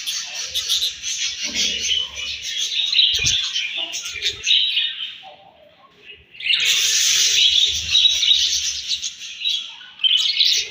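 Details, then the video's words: A flock of budgerigars chattering during morning feeding; steady streams of fast, scratchy chirps, a short lull around six seconds, then the loud chatter returns. "𝘽𝙪𝙙𝙜𝙞𝙚𝙨 𝙈𝙤𝙧𝙣𝙞𝙣𝙜 𝙁𝙤𝙤𝙙 𝙒𝙞𝙩𝙝 𝙈𝙤𝙧𝙣𝙞𝙣𝙜 𝘾𝙝𝙞𝙧𝙥𝙞𝙣𝙜 𝙎𝙤𝙪𝙣𝙙𝙨"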